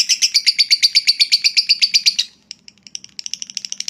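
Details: Lovebird ngekek trill used to provoke rival birds: a rapid burst of harsh pulsed notes for about two seconds, then a short pause and scattered softer chirps restarting.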